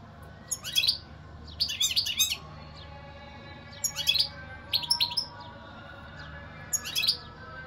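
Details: Twittering song of a European goldfinch: clusters of quick, high chattering notes broken by short pauses.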